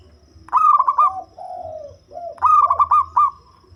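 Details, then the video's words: A local zebra dove noted for its deep, bass voice, kept to lure other birds, sings two quick trilling coo phrases. Between them comes a smooth, lower, falling coo. "Perkutut Lokal Suara Ngebas"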